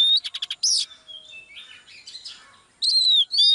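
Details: Female Oriental magpie-robin in song to coax a male to sing: a fast ticking rattle and a high squeal, then softer twittering, ending with loud descending whistled notes.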